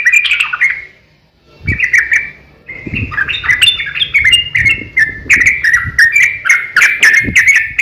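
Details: Sooty-headed bulbul in long, rapid fighting song meant to trigger other bulbuls to sing: a short opening phrase, a pause, then a long bubbling run of varied warbled notes with a few low thumps.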